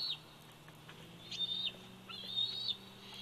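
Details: Bald eagle eaglet at the Big Bear Valley nest, 104 days old, July 27, 2019. Two high, thin whistled calls about a second apart, each a drawn-out wavering squeal, over a low steady hum.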